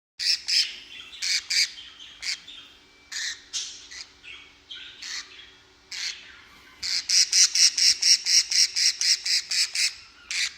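Budgerigar giving harsh, scratchy squawks, ending in a fast run of repeated sharp chirps.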